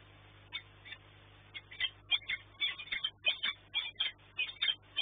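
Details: Peregrine falcons at a nest at the Orlen site in Płock, Poland, during a night food delivery on 13 March 2024; harsh, scratchy calls come in irregular bursts and grow denser and louder.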